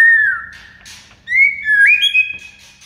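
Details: White-rumped shama song meant to prompt silent shamas: a clear falling whistle, a pause, then a loud rising whistle sliding into a sustained higher tone with soft chips over it.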